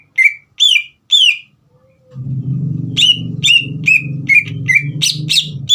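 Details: Three loud downslurred whistles from a green leafbird, then a series of bright falling whistles over a steady low rumbling hum. The song is played to excite a young bird into singing.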